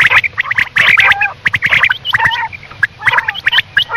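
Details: Quail calling at night: a dense, busy stream of short harsh chirps and nasal notes, mostly mid to high pitched, overlapping and repeated rapidly with brief pauses, suggesting several birds calling together.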